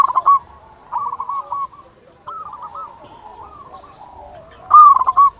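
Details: Local zebra dove singing briskly, meant to provoke other zebra doves into calling: four separate bursts of quick, stuttered cooing notes, the last the loudest, with faint coos underneath.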